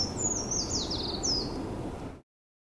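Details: Eurasian treecreeper song from the Tomakomai research forest of Hokkaido University, Japan: a thin, very high-pitched trill of quick notes tumbling downward, then a final rising flourish, cut off abruptly with faint background hiss.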